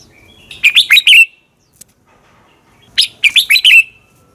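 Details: Red-whiskered bulbul competition song from a decoy recording for training: two phrases of four or five fluty, wavering whistles about two seconds apart, with one faint click between them.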